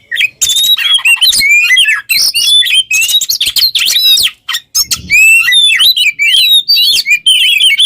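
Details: Caged Oriental magpie-robin (kacer) in full, lively song meant for training other songbirds: a dense, continuous stream of varied whistles, rapid trills and harsh chattering notes, with only brief pauses.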